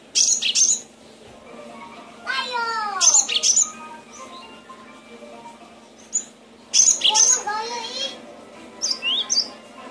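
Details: Cinereous tit, a training track for caged birds: repeated harsh high double bursts, joined by descending lower whistled sweeps from another bird in the background.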